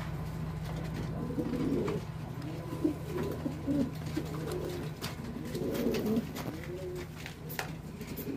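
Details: Archangel pigeon, a fancy domestic breed, in Bangladesh: low, rolling coos in bursts near two, four and six seconds, over a constant low hum with scattered clicks.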